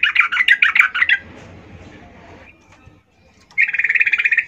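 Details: Female olive-backed shrike calling to males, played as a lure: a quick harsh chatter at the start, then a stretch of low rumbling background noise, then another fast rattling burst at the end.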